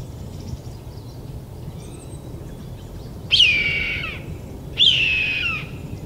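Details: Red-tailed hawk in Vancouver, BC, Canada, on 20 February 2019, gives two hoarse, descending kee-eeer screams about a second and a half apart, with faint twittering of small birds and a low background rumble.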